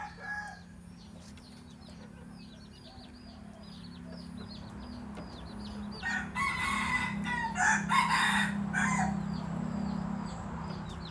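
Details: Decoy red junglefowl of the original Phatthalung line, used for luring wild junglefowl, crows at moderate distance after several seconds of steady low hum and faint, rapid high chirping from another bird.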